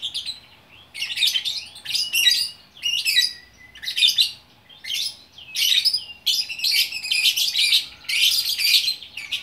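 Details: A lovebird in Bukittinggi, West Sumatra, sings gacor orkestra: about nine clipped phrases of scratchy, rising and falling squeaks and chatter, roughly one per second, each separated by a brief pause.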